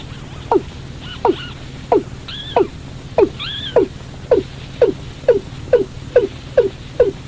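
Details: Watercock call used as a lure to trap birds at night: short hollow notes that drop in pitch, repeated roughly every half second. A few higher arched, rising-falling notes appear early on, over a steady low hum.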